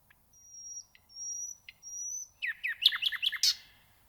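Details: Nightingale singing: three long, steady, high whistles, then a burst of loud, quick, falling chirps ending in a harsh note.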